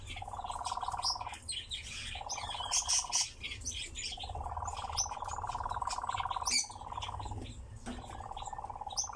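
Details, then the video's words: Nightjar kept in captivity gives churring song in bouts of about one to two seconds, a fast pulsed low trill broken by short gaps, while high, sharp chirps of other birds sound throughout. "Пение и танец козодоя"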